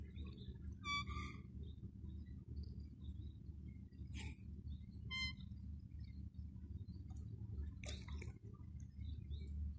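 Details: A male black swan, the only one in Princes Park, Eastbourne, East Sussex, UK, makes tiny high-pitched noises at 8 pm on 23 May 2022: a few brief, high, reedy whistles over a constant low rumble.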